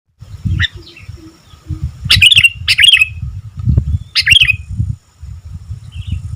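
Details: Sooty-headed bulbul singing energetically: bursts of bright, bubbly chirped phrases with quick rising and falling notes, spaced a second or two apart, over low thumping background noise and soft tonal hums.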